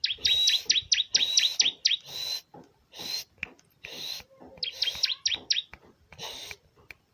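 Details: Bar-winged prinia (ciblek) song used to prompt other ciblek to sing along: rapid runs of sharp, down-slurred high chips in tight bursts, pausing briefly between bursts, with a few buzzy notes.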